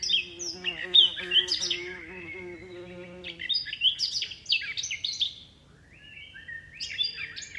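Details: High twittering bird chirps with wind in the leaves, coming in fast irregular bursts over a low steady humming tone that stops partway through, then more chirps after a short lull.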